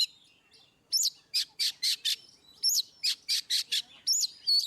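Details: Oriental magpie-robin singing ngeplong style, played to get quiet birds singing: repeated phrases opening with a high upswept whistle followed by four or five rapid harsh buzzy notes, the pattern recurring roughly every one and a half seconds.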